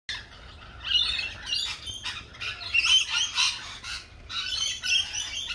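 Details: Lorikeets at a cafe give a dense run of harsh, screechy squawks that overlap and rise and fall in loudness for several seconds, with no clear rhythm.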